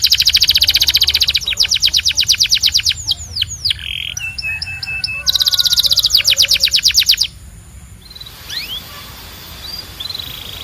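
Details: Belgian canary song: rapid repeated trills of sharp notes, a buzzy lower phrase, downslurred whistles, then another fast rolling trill before quieter scattered rising notes.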